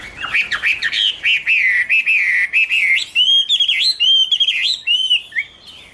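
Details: A Chinese hwamei (Garrulax canorus) warbles continuously in 2016: a fluid stream of rolling, looping whistles, lower at first, then climbing into higher, sharper twisting phrases.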